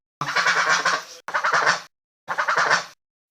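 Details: Goose calling with three loud, harsh, drawn-out honks, the first longest, each broad and rasping with a slightly wavering tone, separated by short silences.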